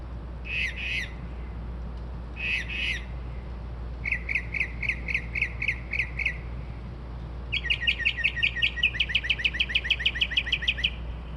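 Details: Night-singing bird at 2:30-3:00am copying car alarms and sparrows, shifting from paired harsh squawks to a series of even chirps and then a long fast pulsing run, with constant low hum behind.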